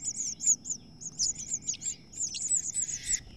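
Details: Two female house finches contest a nest and the chicks are evicted; rapid, shrill chirping comes in bursts of quick, high notes broken by short pauses, some notes dipping lower.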